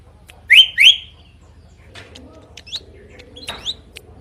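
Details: Drongo in full song with a loud, varied voice: two bright rising whistled chirps close together, followed by faint scattered twitters and short whistled upslurs over a low hum.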